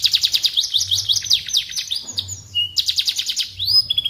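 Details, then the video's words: Canary singing as a master track for magpie robins: long rapid trills of repeated notes, a brief pause with a low whistle, then more fast trilling and a closing steady high whistle; low hum present. "Suara Burung Kenari Cocok Untuk Masteran Burung Murai Batu"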